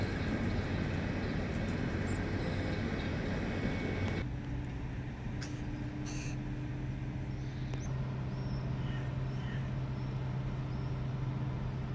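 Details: Steady low engine and traffic rumble throughout, with a hum that shifts partway through; no animal calls stand out.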